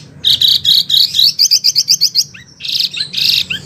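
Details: Song of a Wambi, offered as a master recording for oriental magpie-robins and others: buzzy high bursts, then a quick even run of short chipping notes, followed by more buzzy rasping phrases.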